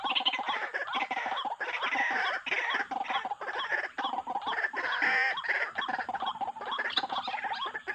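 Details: White-breasted waterhen calls used as a lure for bird trapping, dense overlapping harsh croaking and clucking notes repeated rapidly, several voices layered together with a steady chorus of rhythmic bursts throughout.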